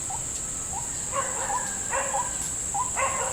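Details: In a salak orchard where a snare is set, a white-breasted waterhen answers a lure with short, hooked, mellow notes mixed with rough, clustered croaks, over a constant shrill insect hum.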